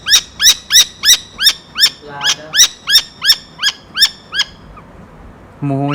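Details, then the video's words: A falcon, possibly a saker and tagged Arabian, gives a fast series of harsh, ringing, arched kek notes, about three per second, a dozen in all, with a low voice-like sound briefly underneath and again at the end. "sounds of falcon"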